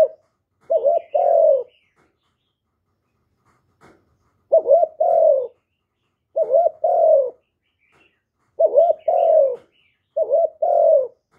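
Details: Cooing of a spotted dove, played to attract wild doves: five repeated phrases, each a stuttered rising pair of notes leading into a low sustained coo, spaced about two seconds apart.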